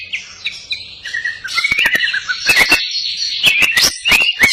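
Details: Greater green leafbird, crest up, in lively song carrying cililin phrases: soft high twitters at first, building into louder warbled whistles punctuated by sharp clicks.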